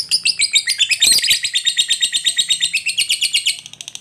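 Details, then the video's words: Lovebird giving the long trill called ngekek panjang, used to provoke other lovebirds into fighter-style singing: an unbroken, fast chattering trill of high scratchy notes for nearly four seconds, pulsing rapidly and fading at the end. "Lovebird Gacor Ngekek Panjang Ini AMPUH Memancing Lovebird apapun Jadi Fighter dan Rajin Bunyi"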